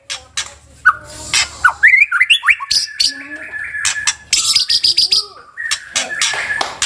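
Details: White-rumped shama singing a varied song of whistled notes, rising slurs and fast repeated high trills, delivered in quick bursts with sharp clicks between phrases.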